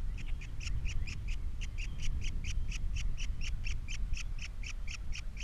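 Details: Captiva osprey nest with three young, 21 February 2022: rapid, steady stream of short, sharp high chirps, several per second, heard behind a strong low rumbling background noise.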